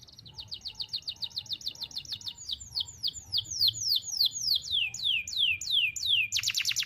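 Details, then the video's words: Young-canary training song: a long one-breath run of rapid downslurred whistled notes, about three per second, sweeping high to mid pitch, shifting into longer descending slurs and ending in a dense high buzzy burst; faint low hum beneath. "KENARI GACOR NEMBAK TAJAM , DURASI PANJANG SATU NAFAS || CUIT CUIT MASTERAN KENARI PAUD AGAR BUNYI"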